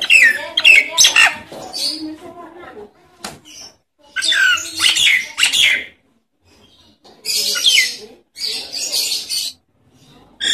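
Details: Nias hill myna natural calls used as a lure to stimulate silent mynas to sing: loud, rough, broadband bursts mixed with whistled notes, in phrases of one to two seconds separated by short pauses.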